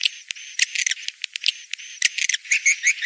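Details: Breeding-season lure call of edible-nest swiftlets during the rains: sharp scattered clicks and brief chirps, ending in a few clear rising whistled notes.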